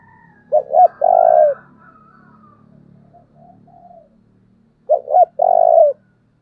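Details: Spotted dove decoy in thúc style, meant to lure and provoke wild birds. Two strong phrases, each two short hooting notes and a drawn-out vibrating coo, about four seconds apart, over a low hum and faint softer cooing.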